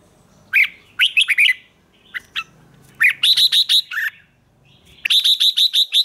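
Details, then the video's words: Morning song of a red-whiskered bulbul used for training in the 'ché' style: lively whistled phrases, then a fast even run of six clear rising-falling notes, and a final string of six bright repeated syllables. "Luyện chào mào hót sáng, QUÁ HAY - CHÉ KÍCH BỔI CĂNG ĐÉT"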